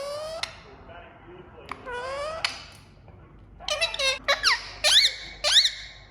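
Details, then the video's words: An Indian ringneck (rose-ringed parakeet), a talking parrot, gives thin rising squeaks, then a quick run of clipped, speech-like chatter and shrill upswept calls in a quiet room. "Smart Parrot Saying I love you | Playing Peekaboo | Ringneck Making Sound"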